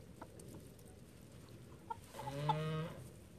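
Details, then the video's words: A single nasal, buzzy quack that lasts under a second comes from one of thirteen pet call ducks kept in a house. It follows a quiet stretch with faint clicks. "コールダック 我が家の13羽の天使たち 9 callducks 13 angels in my house 9"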